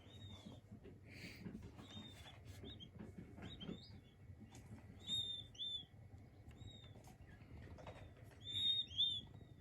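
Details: King quail chicks peeping: thin, high whistled notes, short and often slightly falling, scattered in quick irregular bursts, some louder doubled peeps near the end, over a steady low hum.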